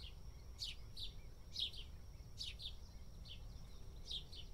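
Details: Dust-bathing house sparrow in India calling with bright, clipped chirps in pairs and threes, spaced about a second apart, with a faint steady whine and low-frequency background noise throughout.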